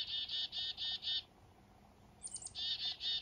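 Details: Black-capped chickadees on a foggy morning up north, during a fishing trip: a run of four buzzy, even 'dee' notes, a pause, then a few thin high notes leading into three more buzzy notes.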